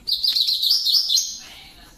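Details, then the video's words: Coleiro Grego song phrase: a sustained, buzzy, rapidly warbled high trill, wavering in pitch and stepping slightly higher near the end before trailing off. "Coleiro Grego Tirano"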